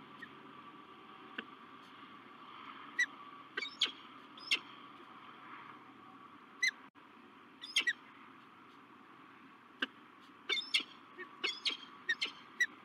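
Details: At a La Crescent, USA falcon nest on 16 March 2023, a male peregrine falcon meets a new female. Many brief, sharp, chirped calls come irregularly through the recording, clustering toward the end, against a constant hum.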